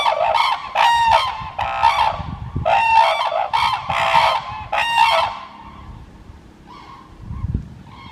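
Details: Red-crowned cranes calling at Kibiji Tsuru no Sato, Soja City, Okayama, Japan, their low buzzing 'boo-boo' note likened to a vibrating phone. A rapid series of loud, rough honks for five seconds fades into quieter calls and background noise.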